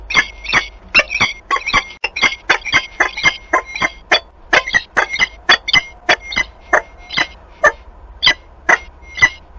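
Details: Peregrine falcons, an adult female and a new young male, during mating on 21 March 2022 in Wałbrzych, Poland: rapid series of harsh, scratchy calls repeated about every half second, with a faint steady thin tone behind.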